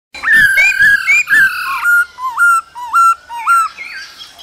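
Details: Male laughingthrush singing and dancing alongside female calls in the cold season; loud clear whistled notes with rich overtones, a run of level and upslurred phrases repeated about twice a second, each ending in a short rising flick.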